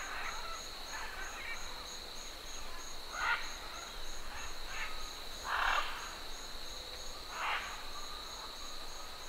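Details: Distant green-winged macaws in flight at Tambopata give harsh, raspy flight-call squawks every one to two seconds over a steady, high, pulsing drone of stridulating cicadas.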